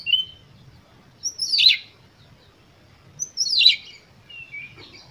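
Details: Oriental magpie-robin (kacer) song used as a lure to provoke other birds: a short whistle, then two loud harsh rasping bursts two seconds apart, each followed by softer whistles, over low background rumble.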